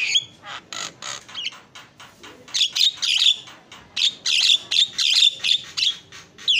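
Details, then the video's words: Champion Javan myna in melodious song, a fast run of crisp high chips and harsh squeaky notes with pauses, growing louder and denser in the second half. "JALAK KEBO JUARA KICAUAN MERDU"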